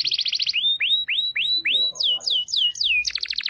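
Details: White-rumped shama with a varied, clear song: quick doubled chips, five rising whistled slurs about a quarter second apart, four falling slurred whistles, then a burst of rapid chips at the end.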